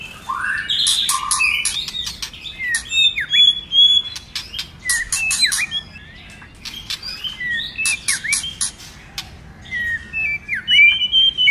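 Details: White-rumped shama with a many-voiced song for triggering other shamas: rapid mixed phrases of clicks, short downslurred whistles and chattering notes, repeated in bursts over several seconds.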